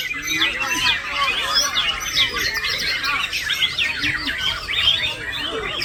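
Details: Singing male white-rumped shama with borrowed lorikeet notes, rapid high chirps and downward-sweeping whistles piled densely together, steady in volume, over background talk and bird chatter.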